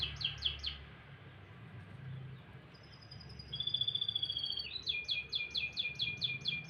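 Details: Canary singing in the morning: a few quick chips, long level whistles, then a lively trill of rapidly repeated downswept notes.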